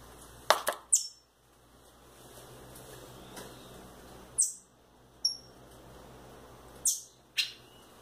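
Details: Young rufous-bellied thrushes loose in a house, one female and one male, give shrill high chirps in close pairs and a short thin whistle, separated by quiet gaps over a low hum.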